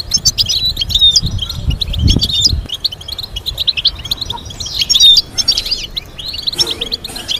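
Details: Goldfinch melody used to train other goldfinches to sing: fast jumbled twitters and sharp chirps, a few clear rising whistles, low rumbling knocks in the first seconds, a brief pause near the end.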